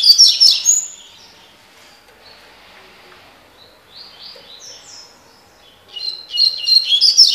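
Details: Double-collared seedeater, tui tui (tocó) song style: a loud rapid chattering phrase opens, soft sliding high notes follow in the middle, then another fast jangling, trilled phrase closes.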